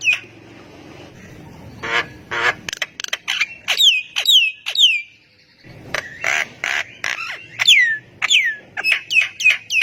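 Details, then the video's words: Javan myna (jalak kebo) singing vigorously to spark answers from other mynas: bursts of harsh churring, a string of clear falling whistles, more raspy squawks, then quick downslurred whistles repeated. "JALAK KEBO GACOR BIKIN JALAK MALAS BUNYI IKUTAN NYAUT AUTO RESPON"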